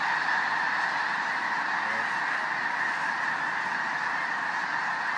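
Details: Enormous gathering of snow geese in South Dakota, heard as an unbroken, even roar of massed honking voices, individual calls blurred together throughout.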